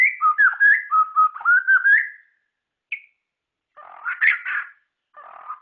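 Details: Song of a white-rumped shama (murai ceram / murai batu): a quick series of rich slurred whistles, then one isolated high note and two rougher, scratchy bursts.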